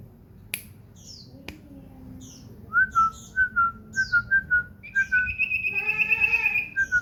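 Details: Common iora kept as a house bird, singing actively: a run of short, slightly falling whistled notes, then a rapid buzzy trill held for over a second, with faint high chirps and low room hum.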